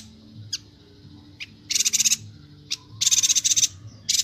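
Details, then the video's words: Bornean yuhina singing energetically for use in training songbirds: a few thin high ticks, then two rapid rattling buzzy bursts of pulsed notes about half a second each, followed by another starting burst. "Suara burung Perenjak Batu/Yuhina Kalimantan Gacor untuk Masteran"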